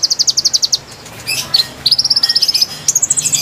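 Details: Konin song played to lure wild konin birds: a fast run of high, sharp chirped notes repeated about four per second, then a pause with scattered squeaks, followed by another rapid high trill.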